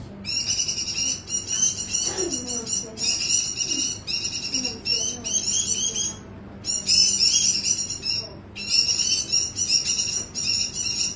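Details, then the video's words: A white-eye pours out high, tinkling, fast-warbled song in repeated bursts of one to two seconds with brief pauses between, bright and continuous throughout, with faint low sounds beneath. "mp3 burung Mata putih gacor"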